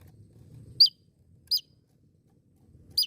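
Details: Javan tesia uttering three sharp, high, downslurred chip notes, each very brief and spaced irregularly, with quiet low background noise between.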